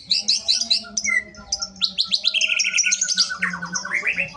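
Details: Harsh, rapid 'besetan kasar' song of a kept greater green leafbird: fast streams of scratchy, buzzy high notes, then sweeping whistled slurs and a run of quick descending chips, all with a constant low hum behind.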